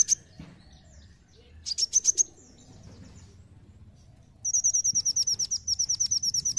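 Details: Brown-throated sunbird song used as a lure to prompt other birds to sing: a few high chirps, a short burst of piercing notes, then a long steady series of rapid, thin, very high repeated notes.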